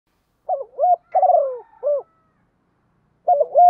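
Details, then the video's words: Spotted dove cooing to provoke rival males in the calling and urging styles. A mellow, low phrase of three to four soft hooting coos with a rolling middle note is followed by a pause, then the phrase begins again. "tiếng chim cu gáy kích bổi hiệu quả, giọng gáy gọi và thúc, tiếng gáy hạp bổi gây ức chế rất cao"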